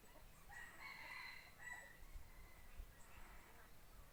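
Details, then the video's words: Decoy rooster kept for hunting, crowing faintly: a drawn-out, hoarse crow rising and holding, then a shorter follow-up phrase, over steady low background noise. "Tiếng gáy gà mồi"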